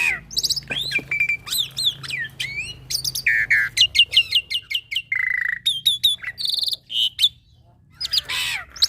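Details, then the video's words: Young black-winged myna singing energetically, a tutor recording packed with varied phrases for training other mynas: a fast medley of high whistles, sharp upswept chirps, sliding notes and short buzzy squawks, with a faint low hum beneath. "Masteran Burung Jalak Putih Full Isian - Jalak Putih Muda GAcor Untuk Semua Jenis Jalak"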